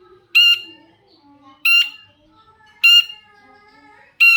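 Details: Long-tailed shrike (cendet), kept bird, calling to lure other shrikes into answering: four loud, harsh, nasal squawks about 1.2 seconds apart, with faint soft background noise between them.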